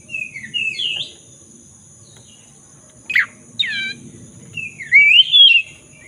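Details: Black-throated magpie-robin singing as a lure to revive a bird that stopped singing; soft rising slurred whistles, two sharp descending harsh notes, then a loud warbled whistled phrase, with low murmuring background and a thin electronic hum.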